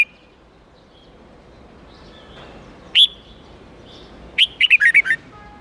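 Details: Tutor song of a red-whiskered bulbul in the 8-9-10 note style, played so young birds learn the forest voice. Soft faint notes, one loud rising whistle near the middle, then a lively six-note phrase ending lower.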